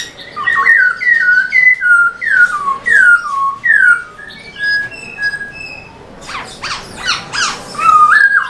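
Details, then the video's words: Captive Black-throated laughingthrush in lively tail-dancing song: a run of clear descending whistled notes about twice a second, then softer level whistles and a burst of harsh, scratchy notes, ending on a rising whistle. "Khướu bạc má HÓT MÚA ĐUÔI cực sung"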